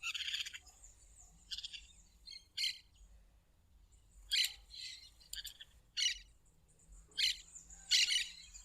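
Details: Wild plain parakeet song: a run of short, raspy, shrill bursts, about nine in under nine seconds. Some are clipped and clicky, others drawn-out and grating, with little other sound.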